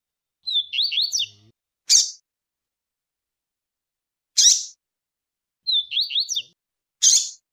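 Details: Double-collared seedeaters, a female's chirps and a male's tui-tui song: two quick, twittering zigzag phrases about a second long, set among four short, harsh, buzzy bursts a few seconds apart.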